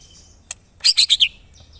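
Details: White-rumped shama (murai batu) giving a brief burst of four quick, very high, bright notes in a row after a single sharp click, part of its 'tembakan rapat' rapid-fire song style.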